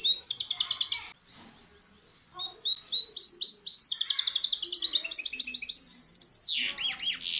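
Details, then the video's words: Training-tape song of a misto hybrid canary for young birds: fast high trills, a second-long silence, then dense repeated chirps ending in looping, swooping whistles. "شريط طائر الميستو الهجين للتحفيظ الفراخ"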